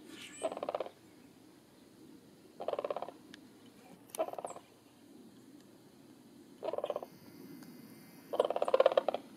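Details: Cranes leaving to roost, giving bursts of rough, rattling, trumpeting calls in five separate bouts spaced about two seconds apart, the last bout loudest, over a quiet background.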